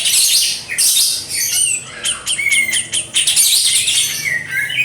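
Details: {'text': 'Kapas tembak in dense, busy song: a continuous jumble of shrill squeaks, clicks and short whistled slides packed closely together, loud throughout.'}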